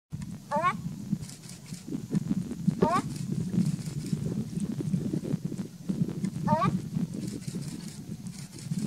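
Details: A pair of ruddy shelducks (Brahminy ducks); one gives three short, nasal honks spaced irregularly over several seconds, against a steady background murmur of voices.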